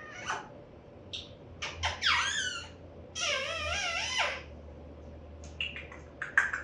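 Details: Pet African grey parrot raised as a talking bird, indoors during word-learning practice in late September 2024; bursts of squeaky chirps, then long warbling whistles that swoop up and down with stacked overtones, ending in short clicky squeaks.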